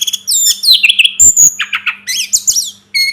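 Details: Varied rapid song of a Sunda robin, known locally as sulingan gunung: a busy tumble of high warbled whistles and twittering notes with a few harsh clicks, then a brief gap and a final clear note.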